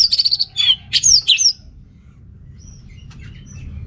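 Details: Anis merah, the orange-headed thrush, from Singaraja, Bali, in lively gacor song used to provoke unmotivated males: a rapid trill of high notes followed by several swooping downslurred whistles, then near silence with faint distant chirps.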